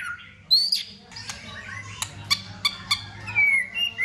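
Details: White-rumped shama singing in competition in the cold season. Sparse phrases: a rising whistle, several sharp isolated clicks spaced through the passage, and a drawn-out falling whistle near the end.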